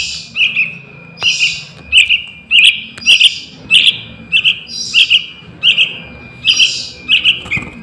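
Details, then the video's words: Young Yellow-vented Bulbul calling, a lure for catching wild birds: steady, bright chirps, each a tight two-note burst, repeated about every two-thirds of a second for the whole stretch, with a thin constant tone behind. "Suara Anak Burung Trucukan"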